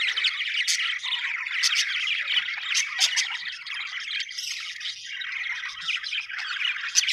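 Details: Budgies chirping happily in a lively chatter that swells and fades, with squeaky warbles, quick twittering runs and sharp high clicks.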